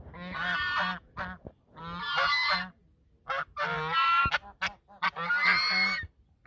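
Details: Geese duetting at the mouth of the Sosúa River, Dominican Republic: repeated coarse, nasal honks in roughly one-second bouts, with a few short clipped notes slipped between them.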